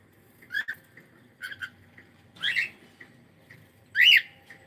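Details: Pet cockatiel calling on a live stream: soft short chirps and clicks building to two loud rising-falling squawky calls about one and a half seconds apart, with faint room hum behind.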